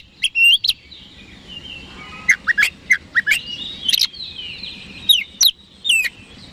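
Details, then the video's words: Oriental magpie-robin in vigorous daily song meant to provoke rival birds into responding: loud scattered whistles with sharp cracking notes, a bright repeated pair of rising slurs near the end, and a faint steady hiss between phrases. "PANCINGAN KACER HARIAN 🔥 Super GACOR Ampuh Bikin Lawan Cepat Respon 3"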